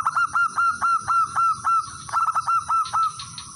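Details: Male zebra dove of local stock calling out to rivals as a lure: a fast, even series of short, clipped high notes, about four per second, with quicker clustered notes near the end.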